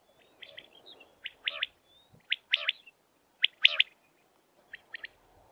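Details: Common quail calling: irregular series of short, sharp chirped notes, often paired, roughly one burst per second, with faint background hiss and low hum.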